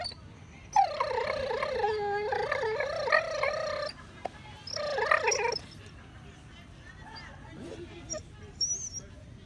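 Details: A male Nova Scotia duck tolling retriever, happily chewing his bone and not distressed, gives long, wavering, squeaky, whiny moans of pleasure.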